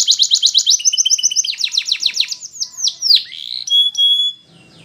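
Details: Canary singing for use in song training: a fast metallic trill of repeated double notes, then downward-sweeping chirps that slow into looping slurred whistles, ending with a couple of clear steady whistled notes.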